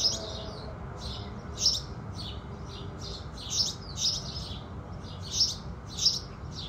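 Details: House sparrows singing in the morning with the rising sun: a steady run of short, bright chirps, several to each second, with some louder notes standing out, over a constant low rumble.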